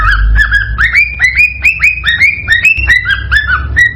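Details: Cockatiel song used to encourage mating and breeding: a rapid run of rising whistled phrases, each swooping up and then leveling off, close together and energetic, over a soft low rumble.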